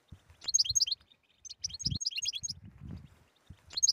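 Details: Goldfinch tetsetsa song, a stimulating recording for silent European goldfinches: two quick bursts of sharp, high twittering and a third just starting, with thuds and rustling filling the gaps.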